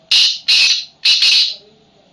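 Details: Tamed wild black francolin in a cage giving a loud, harsh, rasping call of three grating notes over about one and a half seconds, the last note doubled, with a faint low hum behind.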